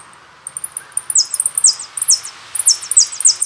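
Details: Song of a jilguero from a birdsong CD: a few thin high chips build into rapid, very high twittering with repeated down-slurred buzzy notes, steady and energetic.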